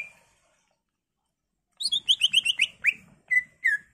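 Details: Greater green leafbird delivering a varied song to draw replies from other leafbirds: after silence, a rapid rattle-like series of clipped chirps followed by a few longer, falling whistles.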